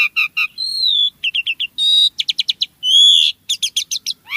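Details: Javan pied starling (jalak suren) in lively gacor song full of varied fills: short buzzy bursts, clear whistled slurs and rapid chattering notes in quick succession, rising sweep at the end; no other sounds.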